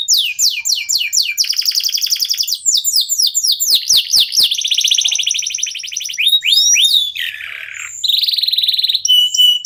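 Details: Local canary (kenari lokal) singing to prompt other songbirds to join in; rapid chains of slurred whistles, rolling high trills, clicking rattles and a lower buzzy phrase, sustained throughout.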